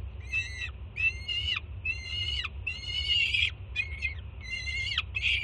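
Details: Juvenile peregrine falcon in Jersey City loudly greeting its banded mother delivering food on a June morning; continuous run of rough, rasping screams with sharp downward tails, one longer wavering note, constant low rumble behind.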